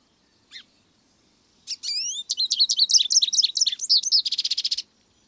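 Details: Single American goldfinch phrase: one soft chip, then rising whistled slurs building into rapid sweet twitters and ending in a brief buzzy trill.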